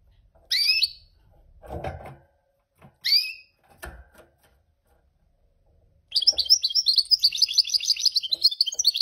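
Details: Goldfinch mule gives two sharp, high, down-slurred calls among soft knocks, then breaks into a long, rapid, high-pitched twittering song.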